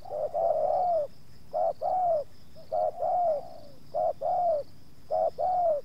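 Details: Spotted dove used as a decoy for luring wild doves while two wild birds approach and the second puts up slight resistance. Paired coos, a short note then a longer, slightly falling one, repeated about once a second, with a steady faint high whine.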